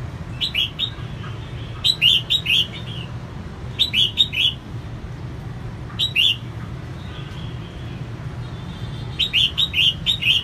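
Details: Female red-whiskered bulbul, used to rouse males, repeats short phrases of two to four crisp, warbled whistles about every two seconds across the recording, with a constant low hum behind.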